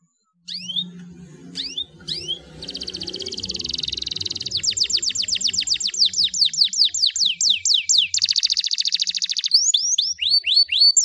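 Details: Canary singing to prompt a stressed, silent canary back into song; scattered high slurs over a faint low hum, then long buzzy rolls and fast trills of falling notes.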